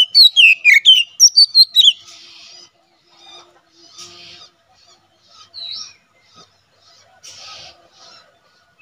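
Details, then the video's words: Ngeplong song of an Oriental magpie-robin (kacer), suited to tutoring and to luring wild birds in forest: a quick series of about eight loud, sliding whistled notes, then fainter scattered chirps and soft rustling. "BURUNG KACER NGEPLONG SUARA COCOK UNTUK MASTERAN DAN MIKAT KACER DI HUTAN"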